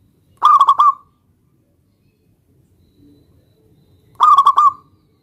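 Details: Local zebra dove in full song, calling a rival to answer: two brief phrases of three or four rapid, rounded coos, about four seconds apart, with faint low background murmur between.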